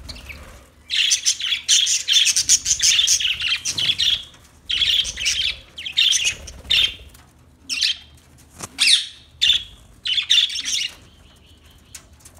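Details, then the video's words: Budgerigar, an Australian parrot, chattering and singing in bursts of bright, scratchy high chirps and warbles, with short pauses between phrases and a thin whistled note near the end. "Birds Singing Beautiful Budgie Sounds Parrot Talking voice"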